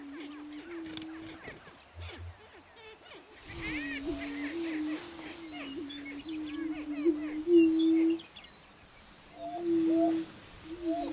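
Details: Greater prairie chicken lek at a Nebraska ranch, 2011: low droning moans run throughout, joined midway by a burst of busy higher cackles, whoops and chatter, with a thud near the start.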